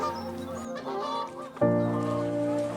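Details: Geese in open country in Colorado at dusk, settling for the day, honk in a loose chorus, harsh nasal calls overlapping, with a louder honk breaking in near the end; soft music plays underneath.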